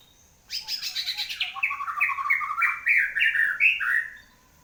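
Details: White-rumped shama, freshly through its moult, pours out a dense phrase: a buzzy high flutter followed by quick, bouncing whistles stepping upward, ending on a clear falling note.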